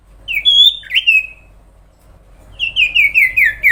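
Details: Sooty-headed bulbul song: a pair of fluty, slurred whistles, a quiet pause, then a rapid run of five similar descending whistled notes, clear and loud over faint background hum.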